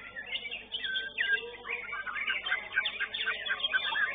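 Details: Competition-class young White-rumped shama, fourth-place finisher at a bird singing contest, delivering varied whistled phrases and quick chattering runs in an unbroken flow, with a faint low background hum.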